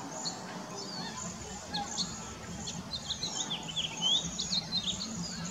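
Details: About 35 cedar waxwings sit together in a bare tree, some searching for berries; a continuous sheet of thin, lisping high whistles, punctuated by brief sliding chirps that grow busier toward the end, over faint low rumble.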